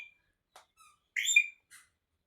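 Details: Rose-ringed parakeet, kept as a pet, giving a few short high chirps and clicks, then one loud shrill squawk in the middle, in a quiet indoor setting.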